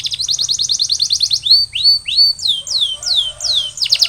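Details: Canary singing during recovery after molting: a fast trill of short notes, then slower curved descending whistles repeated about every half second, ending in a quick burst.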